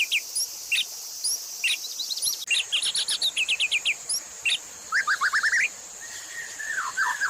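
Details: White-rumped shama master song, with fills copying other species, for training caged birds: scattered high chips, then fast bursts of repeated rising notes and a descending trilled run, with a cut partway through.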